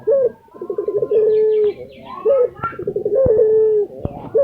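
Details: Lutino Barbary dove kept in Indonesia, calling energetically: two rolling, stuttering coo phrases ending in sustained low tones, separated by a brief lifted note, with a few sharp clicks and faint high calls behind.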